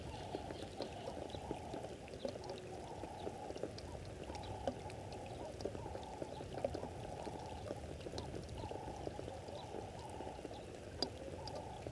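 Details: Steady rushing water, like a pour or fast stream, fills the recording with a low, even roar and no clear animal voice.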